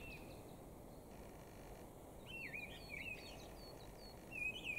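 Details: Mistle thrush singing on 13 April 2021: a loud run of clear, fluty, whistled phrases mixed with higher squeaky notes, over steady low background noise.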